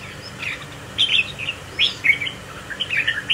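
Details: Close-up of a caged spiky-crested Red-whiskered Bulbul joining a competition group and swaying in display. It sings bright, whistled phrases of quick, warbling notes, about six short bursts spread over a few seconds.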